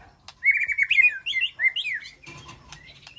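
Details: White-rumped shama communicating with its flock inside an aviary sanctuary: a loud, fluid series of rolling, warbled whistles that rise and fall quickly, then fade into softer thin notes and a soft low rumble.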